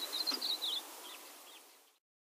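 Yellow-bellied eremomela giving a quick burst of high, thin chirps and slurred twitters, then two fainter down-curled notes; mimicking other species.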